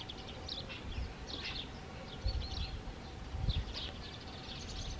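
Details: A red-rumped swallow (Cecropis daurica) in Dobrogea, Romania, in April 2022 gives short, high chirps and twitters scattered through the clip, some slurring upward, over a steady low rumble of wind or traffic.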